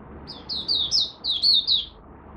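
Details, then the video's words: Oriental white-eye of Malaysian origin in its first warm-up of the day, 1 August 2023. A single quick run of about seven high, thin, downward-slurred notes, over steady low background noise. "Malaysian Mata Puteh Buka Sing"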